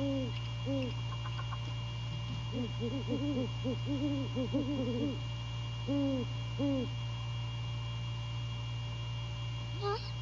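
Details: Great horned owl pair at an early-morning rendezvous, January 15, 2022, at The Landings, Skidaway, where the male returns to his mate. A few deep hoots are followed by a rapid cluster of overlapping low hoots and then spaced paired hoots, over a constant hum.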